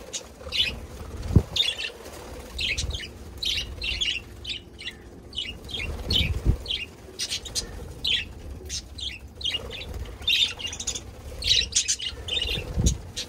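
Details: Budgerigars on 17 February 2024 chatter almost nonstop, with quick high chirps and short warbled notes stacked throughout, over occasional dull thuds and faint background rumble.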